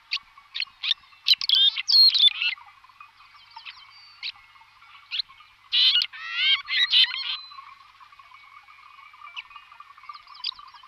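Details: Red-rumped swallow calls used as a decoy lure: short twittering and chirping notes in scattered bursts, some denser warbled phrases around the middle, over a faint steady hum.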